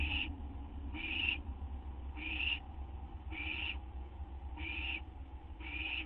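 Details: Owl on a live camera just after midnight, 12:38 AM on 8 September 2011, waiting for a treat of gopher or vole. Hoarse, hissing screeches, each about a third of a second, repeated roughly once a second over a steady low hum.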